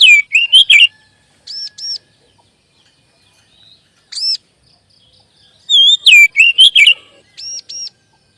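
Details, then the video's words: Singing Oriental magpie-robin, a lure recording meant to make captive birds sing readily and build confidence: clusters of sweet swooping whistles alternate with short paired high notes and a single rising call, with silent pauses between. "SUARA PANCINGAN BURUNG KACER AGAR CEPAT BUNYI DAN GACOR"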